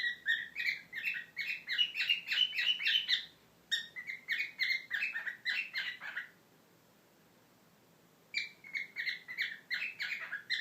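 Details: A pet cockatiel sings quick bursts of bright, chirpy whistled notes with pauses between phrases, singing to a person's foot before fighting with it.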